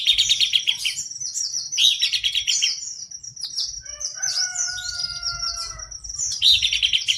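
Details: Buff-breasted babbler singing vigorously: fast, dry trills near the top of the range, high thin sweeping notes, then a stretch of steady, tonal whistled notes held for about two seconds before the rapid trilling returns.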